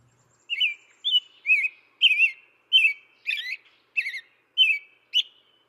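An American Robin carols in short, liquid, rising-and-falling phrases, about two per second, with a chickadee calling faintly toward the end.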